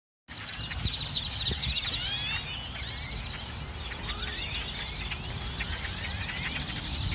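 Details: Grackles back after winter in a Walmart parking lot give a busy stream of squeaky, creaking whistles and rising chirps, several birds at once, over a steady low rumble of traffic.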